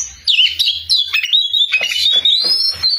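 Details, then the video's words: Oriental magpie-robin belting out a loud song: a sharp opening whistle followed by a long, steady high whistled note with quavering edges and scratchy interjections. "BURUNG KACER GACOR SUARA KERAS"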